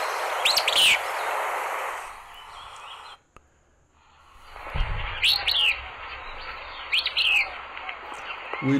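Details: Willow Flycatcher (Empidonax traillii), a rarer migrant Empidonax at Sonso Lagoon near Buga, Valle del Cauca, Colombia, gives three short, sneezy, buzzy high phrases about two seconds apart over steady broad hiss and low rumble.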